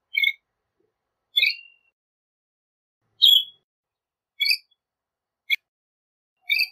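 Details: Northern shrike singing short, clipped high chirps and squeaky notes, each separated by roughly a second of silence, one a sharp click-like note.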